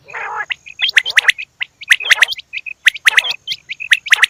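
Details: Female quail calling: sharp, explosive double-stroked chirps about once a second, mixed with short hooked high whistles and an opening rasping, buzzy note.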